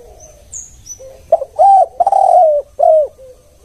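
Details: Spotted dove lure call in the one-kuk form. A faint high chirp comes first, then a clipped note, an arched coo, a long sustained coo and a falling closing coo, all mellow and low.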